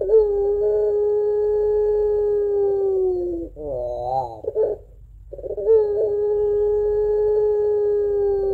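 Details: Puter pelung Barbary dove with its long crying two-note coo for luring doves: a sustained even tone of over three seconds, a quick wavering coo phrase, a short pause, then another long steady tone.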